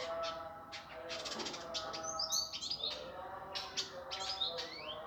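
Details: Indigo flycatcher in a coarse, fast, dense master song for training birds: high scratchy bursts mixed with quick rising whistled slurs, over a steady low humming background.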